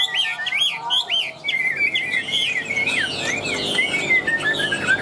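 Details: A caged, tame Chinese hwamei with a loud, vigorous voice sings in a quick chattering stream of looping whistles, with short sharp slurs and a long level whistle. A faint voice murmurs early on.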